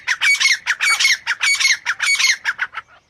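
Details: Grey francolin calling: loud, harsh, squawky notes in rapid bursts, about four strong grouped phrases in three seconds, then shorter fading notes near the end.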